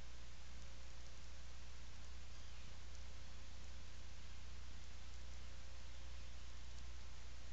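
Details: Steady rain-like hiss over a deep low hum, with no animal calls heard.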